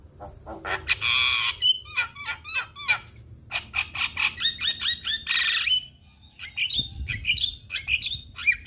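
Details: Black-collared starling song used to provoke other starlings into singing: a rapid mix of harsh rasping bursts, repeated curved whistles and squeaky notes, strung together almost without pause.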